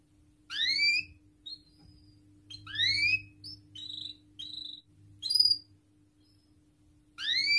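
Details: Canary in full, long song, used as a lure to get young canaries learning to sing and silent canaries singing. Short bursts of fast falling whistled sweeps are separated by quiet gaps, with a few thin single notes and a low steady hum.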